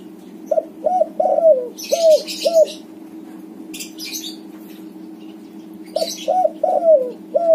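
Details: Persistent cooing from a white backspot spotted dove, played to draw song from silent doves: two five-note coo phrases a few seconds apart, each with a long falling middle note, and bursts of high chirping and hum between.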